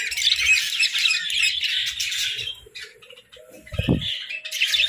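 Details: Pet budgerigars chatter in high warbling bursts that fade to a quieter spell of thin calls before the chattering picks up again, with a single low thump near the end.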